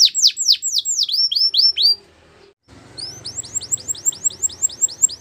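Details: Canary singing a training song: rapid series of whistled notes sweeping down then up, repeated in quick trills, a brief silence midway, then a fast run of short rising whistles over faint background hiss.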